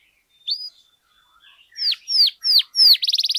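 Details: Canary song meant to train and stir other canaries: a lone rising whistle and soft quiet notes, then four loud swooping downslurred whistles about a third of a second apart, ending in a fast rattling trill.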